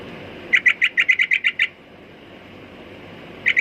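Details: Sooty-headed bulbul calling with a quick series of about nine bright, evenly spaced chirps, then a pause and a short new burst at the end.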